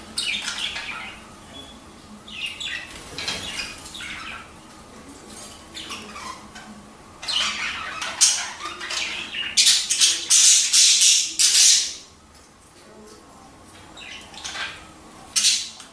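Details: A busy flock of Budgerigars chatters, mixing harsh squawks with quick, scratchy warbling notes, in a recording meant to encourage budgies to breed.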